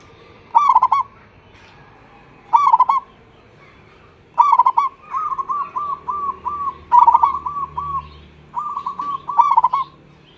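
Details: Local caged zebra dove (perkutut) singing actively during the rainy season: rolling, purring coos in short bursts, first three spaced about two seconds apart, then a steady run of quick trilled coo notes with a faint background hum.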